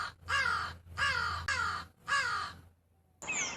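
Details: Four loud, raspy crow caws in quick succession, each harsh and slightly downslurred, roughly half a second apart, ending abruptly before a short burst of a different rough sound.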